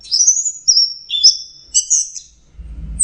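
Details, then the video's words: Orange-headed thrush singing in the relaxed teler style: long high whistled strokes sliding between notes, a lower whistled phrase in the middle, then a brief low thump at the end. "Beginilah suara burung anis merah sedang teler"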